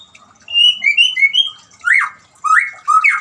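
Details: White-rumped shama song of short, bright whistled notes stepping up and down, followed by louder rising, slurred whistles, with a trickling-water background.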